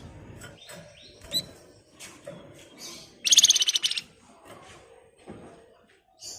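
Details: Flamboyan bird giving one short burst of rapid, buzzy high chatter in the ngebren rapat, nyerecet style, set among scattered faint chirps and low background noise.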